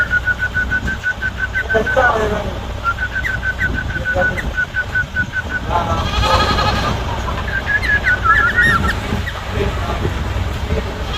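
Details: Loud song of a six-year-old sooty-headed bulbul: runs of quick, evenly spaced whistled notes on one pitch, broken by brief warbled phrases and a rising flourish near the end, over steady low rumbling background noise.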